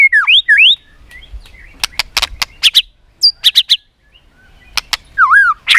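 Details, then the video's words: White-rumped shama singing competitively while clicking and flicking its tail: swooping looped whistles, a run of sharp repeated clicks, then a further looping whistled phrase. "chòe lửa tạch liên tục đập đuôi dùng kích chòe lửa lên lửa hót đấu"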